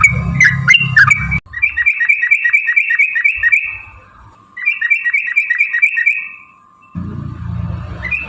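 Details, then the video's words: Used as a lure to get other birds singing, this sooty-headed bulbul song gives two rapid bursts of chattering notes separated by a pause, with rumbling noise at start and end and a steady low hum. "trucukan gacor TARUNG ROPEL PANJANG pancingan trucukan agar bunyi jadikan burung trucuk NYAUT gacor"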